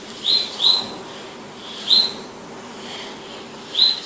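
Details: Palestine sunbird calling with crisp, high, upturned chips, a quick double then single notes at irregular gaps of one to two seconds, against low steady hiss.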